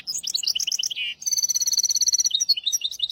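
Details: Hybrid finch singing for the training of goldfinches and canaries, in hafada and widani styles: quick chirped notes and a short buzz, followed by a sustained bell-like trill and closing fast twitters.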